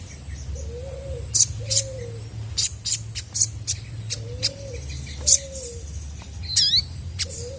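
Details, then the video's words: Chestnut-backed scimitar babbler singing energetically to draw answers from other birds: soft, low hoots paired at intervals, each slightly arched, among scattered loud high clicks and one quick descending whistle from another bird. "SOGON GACOR BIKIN BURUNG MANAPUN PASTI IKUT NYAUT!!!"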